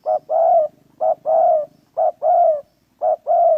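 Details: Spotted dove from a trapping setting, cooing steadily: four paired phrases, a clipped first note then a drawn-out mellow coo, repeated roughly once a second, with a soft low rattle underneath.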